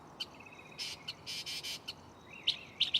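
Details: Nighttime mockingbird in a nearby tree: clicky notes, a soft rapid trill, several broad harsh rasping bursts, then a rising slurred whistle ending in sharp chips.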